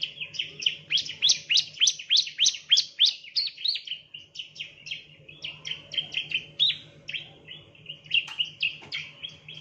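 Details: Ciblek, the bar-winged prinia, calling as a training lure: quick series of sharp descending chirps at a fast steady pace, easing into softer lower notes and a few clicks later on, with a low background hum.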